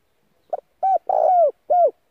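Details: Spotted dove decoy bird calling to lure and provoke wild doves, also played daily to train doves' voices. One phrase: a short clipped note, then three husky arched coos, the middle one longest and rough.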